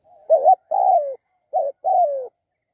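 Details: Spotted dove cooing, linked to decoy trapping of the species: four low, mellow coo notes in two pairs, a short double-humped note followed by a longer note that slides downward, in a quiet setting.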